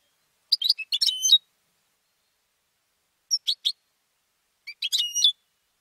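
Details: European goldfinch kept and trained for singing contests, delivering a rapid tinkling phrase ending in a whistle, a pause, three clipped chips, then another liquid twittering burst.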